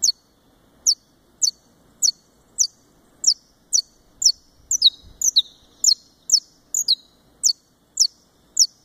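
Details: Captive Saffron finch of the Brazilian form, kept at a breeder in Fortaleza, Ceará, Brazil, repeating sharp, high descending chip notes about twice per second, with a quick double note near the middle.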